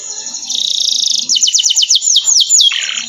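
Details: Canary training song: a fast high buzzy roll, then a run of loud downward-sweeping whistles repeated rapidly, closing with a short rough buzz.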